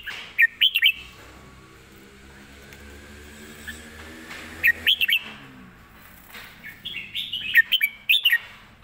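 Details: Red-whiskered bulbul in a cage, recorded live singing a fast 'rik' style. Short bursts of sharp, rising notes stand out over a steady low hum of background noise.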